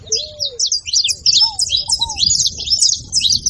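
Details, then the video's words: Brief stretch of high twittering calls from a saffron finch, closely packed chirps throughout, with a few soft, lower curved whistles early in the clip. "Canário da terra fazendo barulho"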